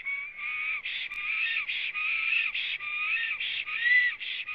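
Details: Singing black stork on its nest in Latvia, spring morning of 26 April 2017, recorded by a nest webcam: continuous chain of buzzy, rasping syllables broken by short clear whistles, fairly irregular in pace.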